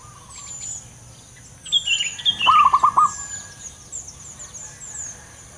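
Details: A male zebra dove gives a quick run of five rounded, mid-pitched coos in under a second, with thin high chirps from other small birds around it.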